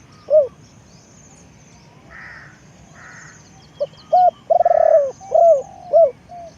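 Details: Decoy spotted dove cooing, with a hoot and then a phrase of short notes, a rolling coo and trailing hoots. Two harsher calls from another bird come in the middle, with high faint chirps.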